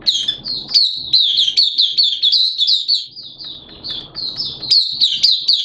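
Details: An Oriental white-eye in a cage, open singing ('buka sing'), 11 September 2022 in wet, erratic weather; an unbroken stream of quick, high, sweet twittering notes, rising and falling in volume throughout.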